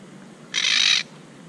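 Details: A monk parakeet at its nest, upset and fussing at a camera placed in its tree; one loud, raspy, broadband squawk lasting about half a second.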